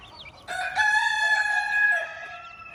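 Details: Chicken on a farm where a hen keeps her chicks, a loud, drawn-out crow with a rich harmonic tone lasting about one and a half seconds, ending with a dip, faint chick peeps before it.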